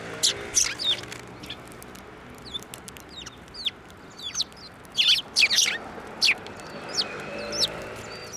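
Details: Sparrows flying to a hand to take food at a Tenmangu shrine, March 15, 2024; scattered thin calls, then a loud cluster of sharp chirps midway, with sparse notes after.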